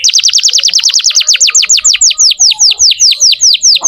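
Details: Canary singing energetically to prompt young or silent canaries: a long, steady series of downward-sweeping whistled notes, repeated about twice per second and gradually slowing.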